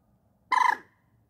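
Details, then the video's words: Common moorhen giving a single short, harsh croaking call, a quick pulsed burst of about a third of a second, loud and clear against a quiet background. "Gallineta común (Gallinula chloropus) Canto y Reclamo"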